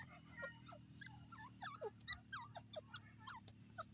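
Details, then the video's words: Francolins in a busy chorus of short, bending notes, dense and overlapping, some louder and nearer, others faint, against a constant low background drone. "pheasant teetar bird calling teeter sound"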